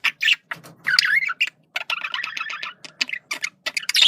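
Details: Male budgerigar communicating with rambling scratchy warbles, a whistled upward-sliding note and bursts of chatter, ending in a louder squeaky phrase.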